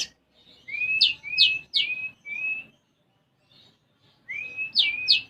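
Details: Caged konin sunbird, singing actively with sparrow imitations: four rapid rising whistled slurs, a pause with a faint note, then two more sharp upward whistles.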